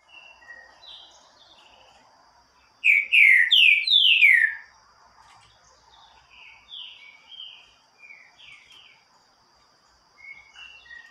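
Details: Green-winged saltator (trinca-ferro) singing loudly with strong song: a loud burst of rich, slurred, descending whistles lasting under two seconds, with softer whistled notes from other birds and a thin, steady high hum around it.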